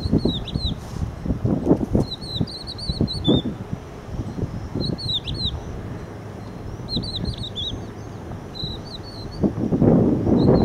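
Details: Crested lark on the beach at Empuriabrava, where it is strictly protected, singing short, high, clear whistled phrases with sliding notes every few seconds over strong wind rumble and surf-like noise.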